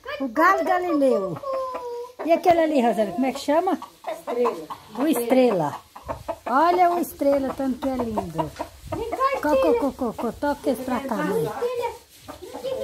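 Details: Rooster crowing on its owner's command, a drawn-out hoarse crow with a falling end, mixed with people talking loudly and laughing close by throughout.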